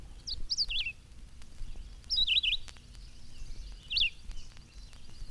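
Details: A Red-eyed Vireo sings in spring high in the trees, short, slurred, robin-like up-and-down whistled phrases in a near monotone, separated by pauses of about a second; faint background hiss.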